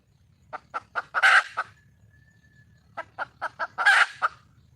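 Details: Wild red junglefowl hen calling for a male: two bouts of short, evenly spaced clucks, each building to a loud, harsh, drawn-out squawk before a few trailing clucks, separated by about a second and a half of near silence.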